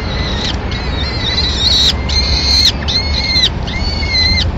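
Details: Peregrine falcons at a nest in Madrid on 25 April 2016, as the female arrives with a pigeon to feed the chicks while the male leaves: drawn-out, harmonic, level wailing notes, about one a second, over a low steady rumble.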